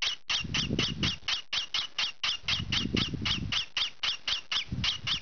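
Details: Noisy young green pied peach-faced lovebird scratching itself indoors, giving a fast string of sharp, grating squawks roughly four per second, over a low rustling of scratching.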